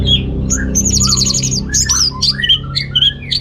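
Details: Orange-headed thrush in lively song, aimed at males lacking breeding drive: dense chattering trills and sharp high chips follow each other quickly, with mid-pitched warbled notes mixed in.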